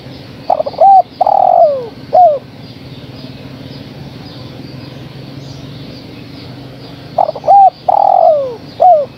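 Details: Female spotted dove calling to the male: two cooing phrases about seven seconds apart, each a few short hooted notes, then a long, loud coo sliding downward and a short falling end note, over low steady background hum.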